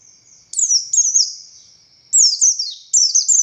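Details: Buxtoni Oriental white-eye delivering short bursts of thin, high, downward-sliding chirps, each phrase separated by a faint trailing note, in the energetic ngalas manner.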